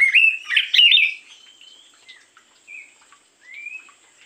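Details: Oriental magpie-robin in the morning, lure song: a loud jumbled phrase of whistles and harsh notes in the first second, then quiet short whistled slurs spaced apart.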